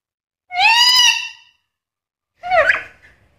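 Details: Talking black-capped lory with varied mimicked sounds, giving a long harmonic voice-like call followed by a shorter, wavering, squeaky note about two seconds later.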